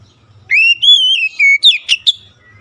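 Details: Short Oriental magpie-robin phrase from a lure recording for lazy-singing birds: a clear rising whistle levelling into a wavering tone, dropping, then three quick sharp notes.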